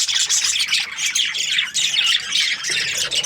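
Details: Many budgerigars from breeding pairs keep up a steady stream of harsh squawks and thin twittering notes, rising and falling in loudness.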